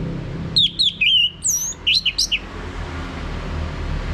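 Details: Orange-headed thrush song played as a prompt for a male to sing ngeplong, Bali: a quick run of about a dozen sharp, sliding whistles, some rising and some falling, packed into two seconds, then steady low hum.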